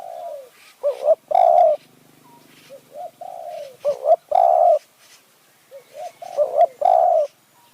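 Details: Spotted dove calling as a decoy bird to lure wild doves in high mountain forest at Kanchanaburi, Thailand, in the 'khu ang' and 'nun ang' calling styles. Low, mellow cooing phrases of three or four notes, rising to a strong final coo, repeated roughly every two and a half seconds.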